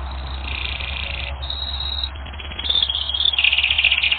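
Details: Canary song on a training recording: sustained buzzy rolls and a held high tone, then a burst of quick, pulsing trilled notes rising in loudness, with a low steady hum underneath.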